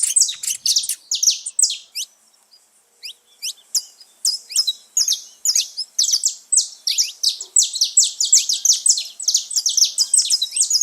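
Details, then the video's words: Group of saffron finches living free in nature: sharp high chirps start busily, pause briefly near two seconds, then build into a steady, crowded run of overlapping notes. "festa dos canário da terra livre na natureza"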